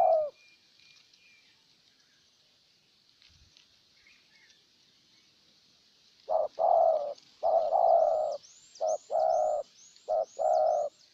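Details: Spotted dove decoy from Ninh Thuận luring a wild dove; after about six quiet seconds a run of low paired coos starts, with faint high chirps from another bird overhead.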